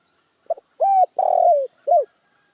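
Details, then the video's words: Spotted dove (tekukur) calling: a short soft note, then two long, strong coos around mid pitch, the second longer and falling at its end, and a final short falling coo, with a steady faint high whine behind. "Sekali Klik Burung Tekukur Anda Pasti Langsung Nyaut"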